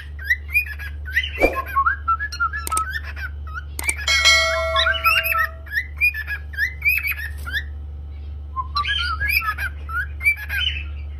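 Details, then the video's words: Singing pet cockatiel giving rapid strings of whistled chirps, broken by a few sharp clicks and a brief ringing tone, with a constant low hum in the room. "COCKATEIL SINGING & Chirping Sound"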